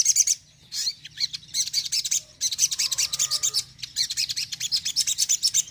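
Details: Crimson Sunbird (sogon) singing a 'tembakan' shooting song used to stir up a less eager sogon: dense, high, sharp chirps run in fast bursts, with a short lower warbling phrase in the middle.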